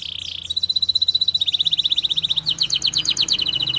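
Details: Canary giving long, prolific song for tutoring young canaries and coaxing silent ones: a held high tone, then a quick, regularly pulsed trill shifting into coarser, choppier rolling notes.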